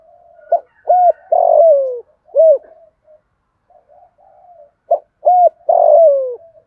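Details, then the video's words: Spotted dove calling to stir a rival: two phrases of soft, low coos, each a short note, a rounded coo and a longer sliding coo falling in pitch, followed by a single coo, over a quiet background. "Tiếng chim cu gáy kích bổi"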